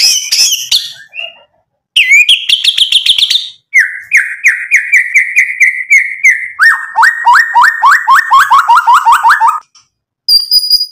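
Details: Mimicry-filled song of a white-rumped shama, used to stir other birds into replying. High chatter gives way to a rising phrase, then long series of repeated notes stepping lower in pitch, ending in a thin high whistle.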